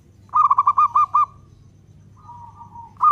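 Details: Zebra dove, local bird and frequent singer with a long-beat song used to provoke other doves: a run of about seven quick pulsed coos, then a softer drawn coo, and a new phrase beginning at the end.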